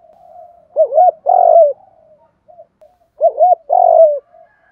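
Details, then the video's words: Spotted dove cooing, male and female voices, used to provoke wild doves into cooing: two bursts of low, mellow coos, each a pair of short wavering notes followed by a longer steady coo that slides down, separated by a quiet pause. "tiếng chim cu gáy kích bổi"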